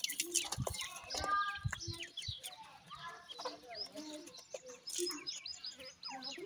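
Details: Black francolin chicks (dakhni teetar) calling while being fed: many short, high chirps and peeps, some rising or falling, crowd over each other in a steady chatter, with soft thumps and handling noise underneath.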